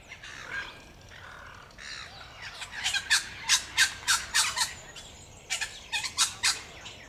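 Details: Musk lorikeets (Glossopsitta concinna) give a rapid string of shrill, harsh screeches, several per second in bursts, over soft background chatter; recorded 26 September 2021 at Banyule Flats Reserve, Melbourne, Victoria, Australia.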